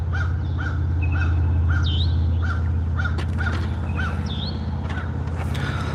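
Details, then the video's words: Wild crow calling in the background at a lake in western Virginia, United States: short hoarse notes repeated steadily about every half second, with other birds' whistled chirps overlaid and a low steady rumble underneath. "That's a crow in the background."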